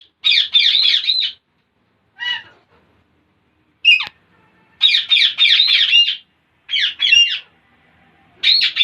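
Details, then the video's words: Parrots making weird sounds and funny noises: bursts of harsh, buzzy squawks in clustered runs of three to five notes, separated by short silences, with a lone lower note near the middle. "Most Beautiful Parrots Are Making Weird Sounds And Funny Noises !"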